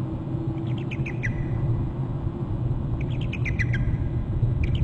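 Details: Bald eagle at a nest on Hornby Island, recorded by a nest camera in January, flying in and trilling: bursts of quick, high, descending chattering notes in two series, over strong low wind rumble.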